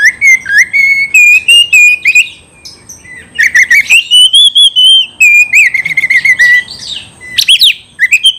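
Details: Agitated Oriental magpie-robin challenging an opponent to fight, giving long sustained whistles that rise and waver, broken by clicking bursts and quick chattering notes, then more ringing whistled phrases; a thin constant high tone persists throughout.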